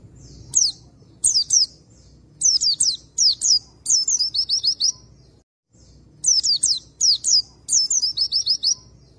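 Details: Long stretch of Oriental white-eye lure song aimed at an untrained male: repeated clusters of shrill, downward-sliding whistles, about sixteen phrases a minute, irregularly spaced, broken by a brief silent gap.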